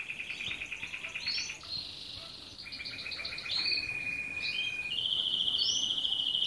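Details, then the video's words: A red canary sings a fast, high stream of rolling trills and chirps, then settles into long, steady, ringing tours on one pitch. "Singing the Red Canary"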